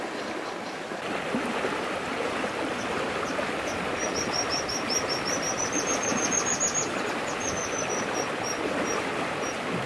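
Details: White-throated dippers at a nest in Taganay National Park in late May, with adults feeding five chicks, give thin, high, sharp notes in quick irregular series over the last six seconds, half-buried under the steady rush of a fast stream.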